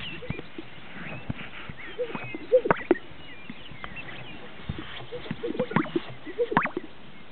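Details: Greater sage-grouse at a lek in northern Utah, displaying. Low, bubbling double pops and brief swishing rustles recur every few seconds from more than one bird, with quiet clucking and chatter underneath.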